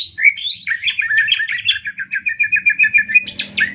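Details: Greater green leafbird master song for training other birds: a short stream of fast, evenly pulsed chirps and whistled notes, ending with a sharp upward-swept high whistle.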